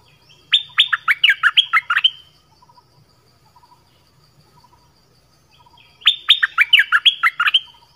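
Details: 'Phleng boen' song of the nok dok taeng, meant for young birds to learn: two fast bursts of ringing chirps several seconds apart, with faint soft notes and a low hum between them.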